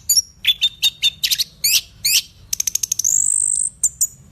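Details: Orange-headed thrush singing busily: clear whistles, rattling rapid note series and a long thin high whistle near the end, all in quick varied succession.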